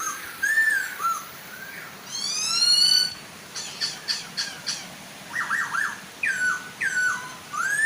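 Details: Male and female Chinese hwamei singing beside a gentle waterfall to draw other hwamei into song. Slurred whistles, a ringing rising run, a series of harsh clicks, then fast zigzag whistled notes.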